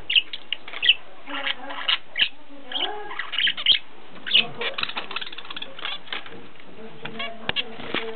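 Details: Pet zebra finches kept at home in Ulaanbaatar, Mongolia, give short, nasal, buzzy chirps in quick irregular bursts, some with harmonics. Fluttering wing sounds and soft background noise are also heard.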